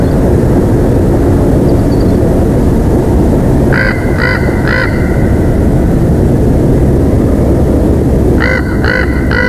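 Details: Bald eagles at their Big Bear Valley nest, filmed on a live nature cam on 3 October 2023 at 15:05; two bursts of three short ringing, high notes each, separated by several seconds, under heavy wind rumble.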